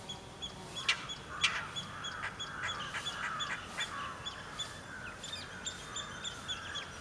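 An Indian roller gives harsh, croaking chack notes in a quick, uneven series over a steady high hum.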